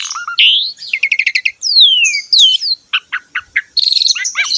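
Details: Asian pied starling singing actively to encourage other birds to sing: buzzy rising notes, fast chattering series, a long sweeping downward whistle, then short separated chirps and a final rapid trill.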